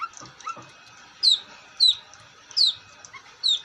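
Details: Long-tailed shrike singing: two soft upslurred notes, then four loud, piercing downslurred whistles repeated about every 0.7 seconds.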